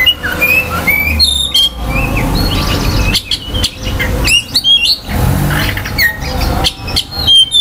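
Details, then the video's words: Oriental magpie-robin singing to quickly stir other magpie-robins' aggression and breeding urge: bursts of sharp, high whistled and chirped notes, some rising, some falling, with short pauses between phrases over a low rumbling background hum. "KICAUAN KACER || CEPAT MERANGSANG KACER LAIN TERDONGKRAK EMOSI DAN BIRAHINYA."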